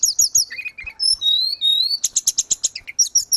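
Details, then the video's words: Grey-cheeked bulbul song meant as tutor audio for caged birds: a few sharp chirps, then long clear whistles sliding up and down, followed by a rapid rhythmic string of high chips. "Terapi tledekan gunung _gacor"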